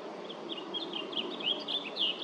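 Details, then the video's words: A blue grosbeak at LaFarge Sandpits on July 8th, 2024 sings a quick, warbling run of sliding high notes that grows louder toward the end, set against a steady background hiss. "Blue Grosbeak singing"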